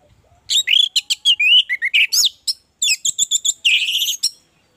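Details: Orange-headed thrush in full, lively song, played as a lure to get other orange-headed thrushes singing quickly: a rapid run of high whistled and chirping phrases, some rising and falling sharply, packed closely with brief pauses.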